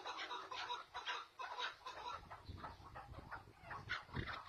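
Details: Chukar partridges calling back and forth in a calling duel: clucking chuk notes repeated about twice a second in irregular bursts, answered in turn, with faint low rumbling underneath.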